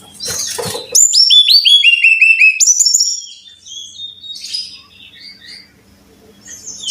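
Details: Brown-chested jungle flycatcher song used as a training recording for caged birds: after a second of rustling noise, a run of clear, high whistled notes, each slurring downward, repeated in quick succession and then fading into softer varied warbles.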